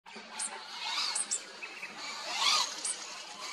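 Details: Sulphur-crested cockatoo (Cacatua galerita) in south-east New South Wales giving two harsh, raspy screeches a second and a half apart, over steady hiss from a remote-control car in the background, with a few thin, high chirps.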